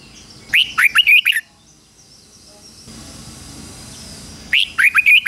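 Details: Red-whiskered bulbul decoy singing to provoke rivals: a quick phrase of five bright, slurred whistles, a pause with faint background noise, then the next phrase starting.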